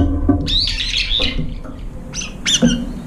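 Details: Brown-eared bulbuls gather at a feeder where little food remains, competing and driving one another off. Loud, shrill squeals with rising and falling sweeps come in short bursts, with a dull low thud in the background.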